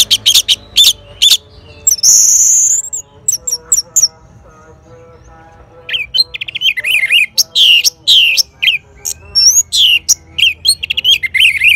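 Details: Orange-headed thrush answering a played lure bird sound: loud, varied bursts of sharp high chirps and squeaky notes, one long harsh smeared note, then rapid wavering warbled phrases with clicky accents, tones repeating under the song.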